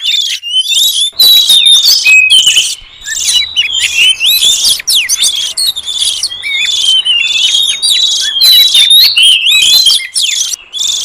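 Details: Wild oriental magpie-robin song for luring birds in the forest: long, rich rapid outpouring of whistles, trills and scratchy buzzy notes, many short phrases tumbling one after another.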